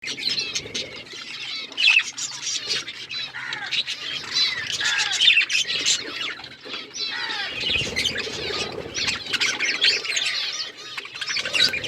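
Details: Colourful budgerigars chirping together, a dense nonstop warbling chatter of rapid squeaky notes and short twitters from several birds, with a faint steady low hum underneath.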